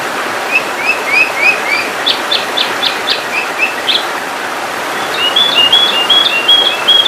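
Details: Sooty-headed bulbul training and lure recording: quick upslurred whistles, then a run of short sharp downward notes, ending in a series of bright high whistles. Constant low hiss underneath.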